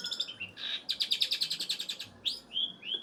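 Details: Long-tailed shrike of the kind called blangkon singing: a rapid run of harsh, buzzy, high chattering notes about seven per second, then sweeping whistled slides that rise and level off, over a steady background hiss.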